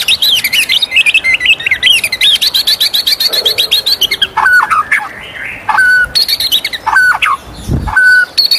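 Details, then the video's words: Morning song of a white-rumped shama: fast varied whistled and chattering phrases, then clear level whistles repeated roughly once a second, with a soft thump near the end. "suara merdu murai batu di pagi hari"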